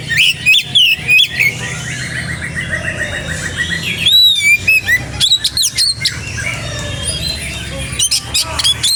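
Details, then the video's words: Energetic, lively song of an Oriental magpie-robin: fast strings of loud whistles and clicks, a long series of evenly repeated notes, sweeping slurs and sharp chips, all over a steady low background hum. "BURUNG KACER GACOR dijamin kacer lain langsung nyaut"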